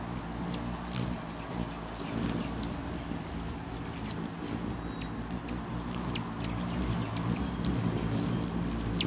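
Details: Several rufous hummingbirds squabbling over a perch on a man's finger, May 20, 2020: many brief high-pitched ticks and chips throughout, a thin twittering run near the end, with constant low droning underneath.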